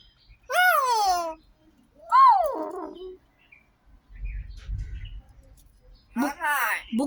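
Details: Myna bird talking in repeated loud harmonic calls that slide downward in pitch, with a low rumbling noise between them and a rougher harmonic phrase near the end.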